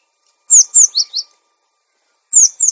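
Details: Cinereous tit song for training caged birds to sing and tame quickly: a loud phrase of four sharp, high whistled notes sliding downward, a pause, then a shorter two-note phrase starting again.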